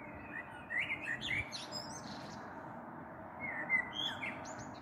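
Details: A common blackbird sings at dusk on 21 April 2022 with a storm perhaps brewing, heard from a balcony; a quick run of warbling notes with scratchy high twitters, then a pause and a second fluted phrase.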